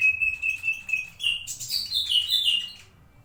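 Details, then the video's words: Master song of a white-rumped shama for teaching other birds: opens with a steady, rapidly pulsed whistled trill, then breaks into a dense burst of bright, varied high notes and slurs before fading; quiet low rumble beneath. "burung masteran murai batu"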